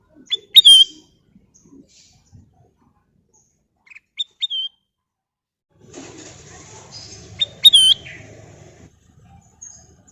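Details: Golden bulbul singing clear, ringing whistled phrases of sharp notes ending in a falling slur, given three times with gaps, the last over a patch of rustling background noise.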